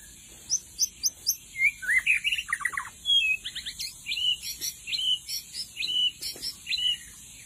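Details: White-rumped shama song used as a lure in the forest: a loud, rich run of varied phrases with rapid high trills, sweeping whistled notes and short sharp chirps in quick succession, over a steady high insect hiss.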